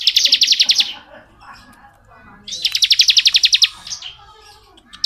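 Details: Two bursts of fast, buzzy pulsed notes from a bar-winged prinia in long ngebren singing, the second burst longer, with a quiet gap of softer chatter between them.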